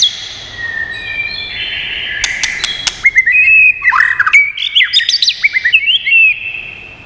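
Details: White-rumped shama song in many voices, used for training and stimulating birds. Drawn-out whistles give way to a fast, varied run of slurred, chattering notes broken by crisp clicks.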